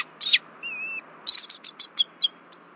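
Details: Nest-camera recording from Berry College, Rome, Georgia, 1 February 2024: a bald eagle pair warns as an intruder passes over the nest tree. A sharp squeal and a short steady whistle are followed by a quick run of high piping notes.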